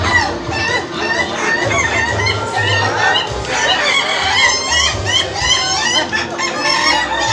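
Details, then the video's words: Laughing chicken roosters crowing at a contest final in Indonesia: long rapid runs of harmonic, cackling, laugh-like syllables that rise and fall, with several birds overlapping, over a steady crowd murmur and low hum. "Kontes ayam ketawa"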